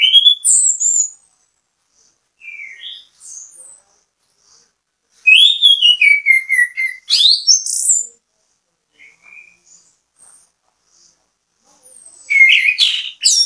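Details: Orange-headed thrush (anis kembang) giving a bait song to set off other birds: several separated bursts of varied, fluty whistles and quick trills, with quieter scattered notes between them across the recording.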